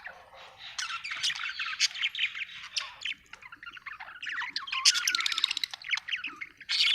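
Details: Continuous scratchy warbling from a happy budgerigar, an unbroken stream of squeaky chirps, chatter and brief squawks rising and falling in loudness throughout.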